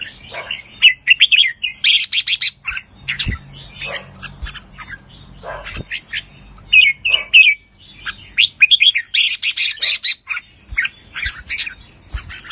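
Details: Pa La-u red-whiskered bulbul in a cage, both singing and calling riik; loud bursts of bright chattering warbles separated by short gaps, some harsh high phrases, with occasional knocks and a low hum.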